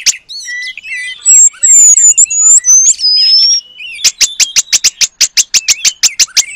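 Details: An oriental magpie-robin in energetic song copying the paradise flycatcher. High ringing whistles come first, then a rapid regular series of sharp ticks, about two or three each second.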